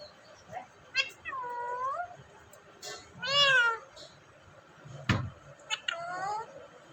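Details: Talking parrot at home in Vehari, Punjab, Pakistan, with a run of speech-like utterances: curved, drawling harmonic phrases, one loud rising-falling squawky word and clicks between them, all indoors over a faint hum.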